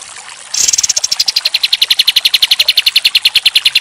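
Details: Pied triller (kapas tembak) 'tembak' style song used for training other songbirds: after a short silence, a fast, loud trill of high, clipped notes, about eight per second, holding steady to the end.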